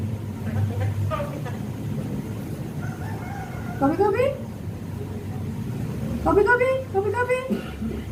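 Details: A hand-trained pet Javan myna (jalak kebo), somewhat shy, gives two bursts of hoarse, voice-like syllables imitating the word "kopi" and coughing, over a low background hum.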